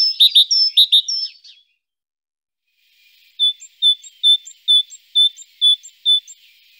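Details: Great tit song: a short burst of paired high notes, a pause, then a single clear whistled note repeated steadily about every half second; quiet background otherwise.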